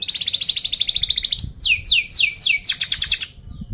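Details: Canary trill for teaching young canaries to sing: a rapid, evenly pulsed rolling trill that rises slightly, breaking into loud downward-swept whistles and a closing quick stuttered phrase.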